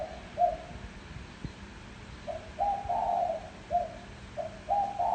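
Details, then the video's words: Spotted dove cooing to lure wild doves: soft, low coo notes in short paired phrases, rising slightly in loudness, over a faint background hum. "Tiếng chim cu gáy gù gọi hay cực chất dùng kích bổi gù kich mồi"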